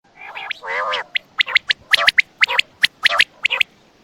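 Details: Quail calling at night near Attock: a few drawn-out nasal, harmonic notes, then a fast run of short, sharp, high chips in loose clusters.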